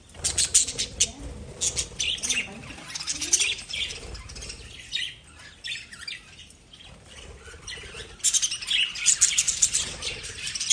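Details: Lovebirds chirping in scattered bursts of sharp high squeaks and twitters, quieter in the middle and rising to a busy chatter near the end.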